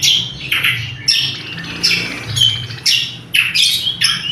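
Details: Greater green leafbird, loud and sharp, used as a lure and as a master song for training caged birds: harsh, buzzy squawking bursts repeated about twice a second, with faint low hum underneath.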